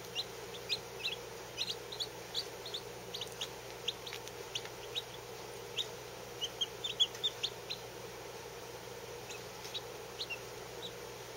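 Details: Fourteen Lavender Orpington chicks, all under 24 hours old and some under four hours, resting under warmth; a steady stream of short, high, downslurred peeps from several birds overlapping over eleven seconds, with a low steady hum beneath.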